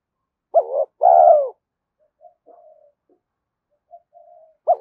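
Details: A spotted dove's coo for rousing decoy birds: one full phrase of a short note and a long, hollow, falling coo, then faint soft murmurs, and another phrase beginning at the end.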